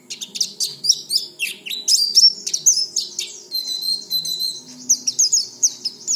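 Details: Oriental white-eye song, played to encourage untrained white-eyes to start singing quickly and meant for daily use. Rapid, high chattering twitters and short sweeping whistles come in dense bursts, with one longer steady whistled note midway.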